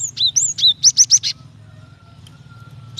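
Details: Female Java sparrow calling a male to provoke him into singing; a quick run of high sliding chirps and down-slurred whistles, then a rapid series of four clipped chips, followed by near silence and a faint steady tone.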